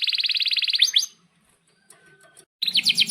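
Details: Canary singing long rolls for training young birds: an even rapid trill of about fifteen pulses, two quick sweeps, near silence, then another loud rolling phrase.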